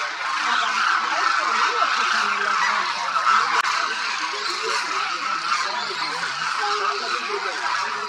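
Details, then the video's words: Vast winter flock of demoiselle cranes at Khichan village, Rajasthan, India, calling nonstop while feeding; a thick wall of overlapping nasal, rolling honks with no single voice standing out. "The sound of thousands of Demoiselle Cranes echoes across Khichan Village, Rajasthan"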